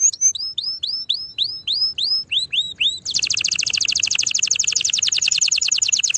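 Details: Canary singing: a run of high, rising slurred whistles repeated about four times a second, then a sudden switch to a fast, dense buzzing trill that carries on steadily to the end.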